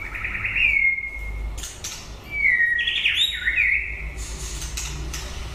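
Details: White-rumped shama singing at the end of its breeding season: slurred whistles that rise then glide down, with a tumbling twisting phrase in the middle and noisy, scratchy bursts between phrases.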